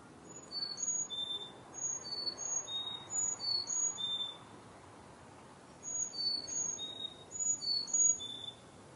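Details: Chickadees serenading in colorful fall trees, 2021 backyard: repeated phrases of thin high whistles, each phrase several notes descending in pitch, with silent spaces between the bursts.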